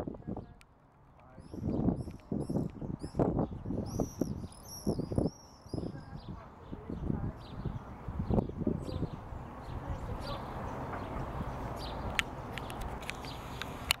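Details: Non-breeding common swifts banging at nest boxes under the eaves at the back of a house on 16 June 2014: thin, high, rapid screams in short bursts, mixed with loud knocks and thumps against the boxes.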